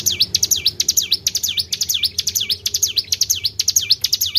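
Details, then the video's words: Tribel bird lure sound for attracting other birds: a steady stream of loud, piercing notes, each falling then rising steeply, about two per second, with a faint background hum. "PANCING BUNYI BURUNG TRIBEL"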